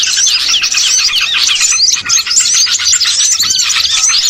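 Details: Small birds used as a lure for catching birds, calling in a dense flock: clear rising and falling whistles among rapid chirps, a short lull around two seconds.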